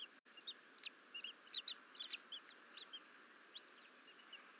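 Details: Bald eagle eaglet twins, left alone in their nest in April, call while exploring outside the nest bowl. Sharp high peeps and brief up-slurred squeals repeat irregularly, roughly two per second, over constant faint hiss.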